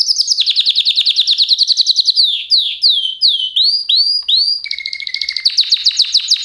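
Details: Canary song: a fast high trill of repeated notes, then a slower series of swooping, curved whistles, followed by a steady low tone under a quick rattling roll; no background noise.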